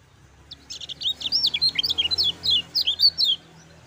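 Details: Lemon-bellied white-eye, a lively singer kept to prompt other white-eyes to sing; loud rapid series of high, sharp, down-slurred chirping notes, about a dozen in quick succession.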